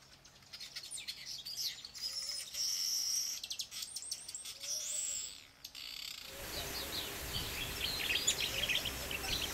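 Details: Village Weavers (Ploceus c. cucullatus) at Saly, Senegal, in March 2010 chatter in a busy, buzzy jumble of sizzling notes and wheezy whistles, several birds calling at once in a colony chorus.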